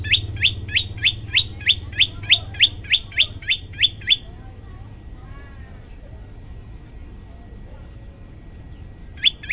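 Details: Yellow-bellied prinia singing on a master track made to rile listening birds: around thirteen quick rising chips in a steady string for four seconds, then near silence with a faint hum before the notes return at the end.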